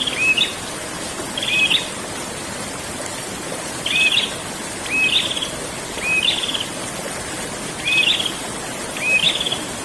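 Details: Prinia ngerol song used as bird therapy audio: a short whistle followed by a buzzy rattle, repeated steadily about every one to two seconds over continuous hiss.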